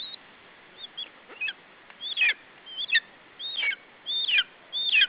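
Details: Lesser spotted eagle nestling in Estonia protecting its food from an adult, 21 July 2012 around 17:00; piercing, wavering squeals that grow louder, about ninety a minute, each with a slurred downward tail.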